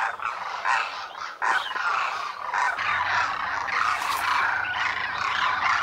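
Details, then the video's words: Thousands of wintering Demoiselle cranes (Koonj) gathered at a lake at Khichan, Rajasthan, India, Thar Desert; scattered loud croaks build into an unbroken, raucous chorus of overlapping rattling calls. "DEMOISELLE CRANES of KHICHAN at the lake in THAR Desert | RAJASTHAN 🇮🇳 INDIA | BIRD sounds | KOONJ"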